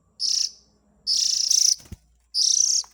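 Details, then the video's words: Oriental magpie-robin chick calls played as a lure for adult birds: three harsh, buzzy, high hissing bursts, each about half a second long, with a brief click between the second and third. "Suara Pikat indukan burung kacer ,suara anak nya"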